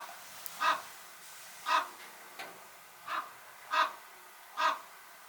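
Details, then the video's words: Common raven, the largest songbird, giving five short harsh calls spaced about one second apart, each a brief burst centred in the mid range, over quiet background hiss. "The sound of the largest songbird in the world"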